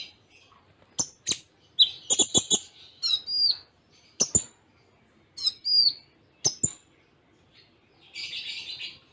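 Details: Konin, the Kolibri Ninja kept for singing contests, in a tutor recording of Cililin-style fill-in with tight pauses; separate sharp high ticks and short whistled slurred notes, a brief chattering run, and a buzzy phrase near the end.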